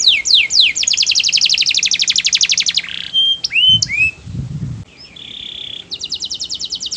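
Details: Canary singing melodiously, a song meant to set other canaries singing: fast buzzy trills of repeated high notes, quick up-and-down sweeps, a steady pure whistle, then more rapid trilling, with a brief low rumble midway.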